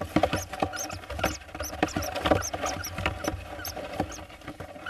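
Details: Hoopoe chicks in Hungary, 13–15 June 2024, during ringing before fledging, give thin, very high squeaks in quick, uneven bursts, several a second, over dull tapping and rustling handling noise.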